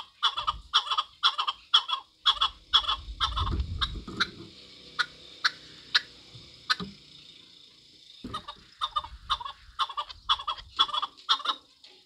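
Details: Long sequence of rhythmic chuk notes from a Chukar partridge, about two per second, loosening in the middle amid a low rumbling noise, then returning to a quick, even series.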